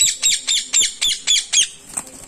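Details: A pair of caged parrots in a small village making noise: seven shrill, high squawks in quick succession, each harsh and rasping, followed by a softer call, with a faint hum behind.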